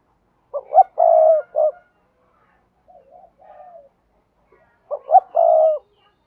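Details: Cooing spotted dove used to teach newly caught doves to coo: two loud, low phrases of short lead notes and a long hoarse central note, separated by quiet soft murmurs.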